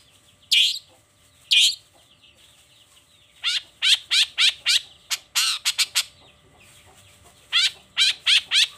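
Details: Long-tailed shrike in the morning giving loud, raspy squawks: two separate calls, then a quick cluster of sharp grating notes, a pause, and a final run of four harsh notes.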